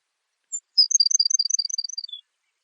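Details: Baird's sparrow: a lone high whistle, then a clear, rapid sequence of crisp high notes swinging between two pitches, finishing with a lower drawn-out note, all in silence.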